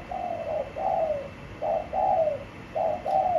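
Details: Caged spotted dove in a cage with a blue base, giving soft low coos in paired and tripled phrases, each note slightly falling, repeated at a steady pace; faint background hiss.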